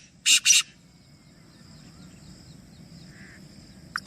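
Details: Black francolin, one of three birds, calling: two loud harsh noisy bursts in quick succession, then quiet background with a faint hum.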